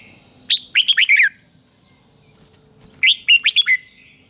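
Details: Red-whiskered bulbul singing a fighting song to train a wild-caught bird; two crisp phrases of about five whistled notes each, rising then dropping, separated by a short pause.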